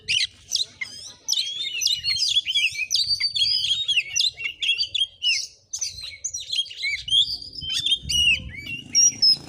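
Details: Oriental magpie-robin singing aggressively during a vocal test at a house in Sungai Rumbai, Bengkulu, Indonesia; fast, tumbling sequence of twisting whistles and harsh notes, nearly continuous, with rumbling low background noise, louder near the end.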